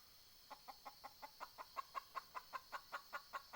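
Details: Decoy red junglefowl hen used to lure wild junglefowl, cackling: a steady run of short, nasal clucks, about five each second, growing slightly louder over the clip, with a faint steady hum in the background.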